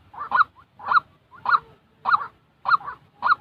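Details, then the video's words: Genuine white-breasted waterhen calling, meant to help trappers train new decoy birds. Six loud, nasal, honking notes, each with a short lead-in, follow one another evenly at just over half-second spacing. "tiếng chim quốc thật để ae tập mồi mới thay lông nhanh lên lửa mà k bị phụ thuộc loa"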